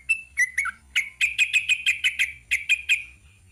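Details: Sooty-headed bulbul (trucuk) in ropel panjang song: a few separate bright notes, then a quick, even chain of sharp ringing chirps.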